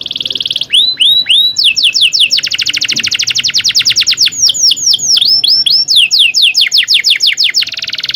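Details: Canary in full, long rolling song, used as a tutor to prompt other canaries to sing: rapid rolled trills of repeated high chirping notes, fast runs of upswept and downswept whistles, continuous and loud throughout.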